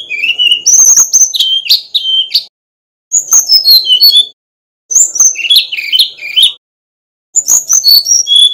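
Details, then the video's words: Male Brown-chested jungle flycatcher from Bali sings four separate phrases of bright, rapidly changing whistles and chirps, each about two seconds long with short gaps between; a master recording to prompt other birds. "Kicau Burung Sikatan Rimba Dada Coklat (SRDC) Bali Jantan Nyuling Gacor Isian Keluar"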